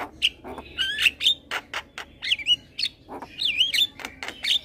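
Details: Caged young male black-winged starling, head-bobbing, in master song for training birds: rapid sequence of sharp clicks, buzzy bursts and looping, wavering whistles, notes spaced closely with brief gaps.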